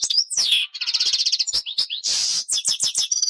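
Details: European goldfinch singing: loud high twittering with buzzy trills, rapid repeated tinkling notes and sharp slurred chirps in dense bursts.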